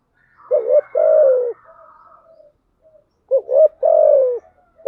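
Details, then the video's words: Spotted dove coo used as a lure, a hen's call to make doves respond quickly: two low phrases, each a short clipped note followed by a longer steady coo sliding down, softer murmur between them, otherwise quiet. "Tiếng chim cu gáy mồi giọng lôi cuốn hấp dẫn đủ bài[ THÚC GÙ , GÁY GỌI ] dùng kich bổi nhanh nổi"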